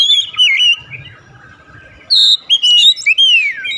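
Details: Oriental magpie-robin in immediate 'nembak' song: an opening warbled whistle, a quiet gap with soft low background sound, then a buzzy high note followed by rising and long falling whistled slurs.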